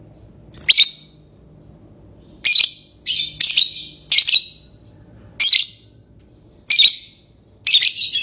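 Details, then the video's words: Lovebird singing and chirping in loud, piercing bursts, some quick doubles, every one to two seconds over faint low background noise. "Love bird singing & chirping sounds"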